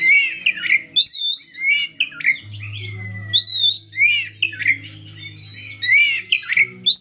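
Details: Loud, varied white-rumped shama song used to coax silent shamas into singing: rich looping whistles and sharp slurred phrases in quick bursts, with a low electrical hum underneath.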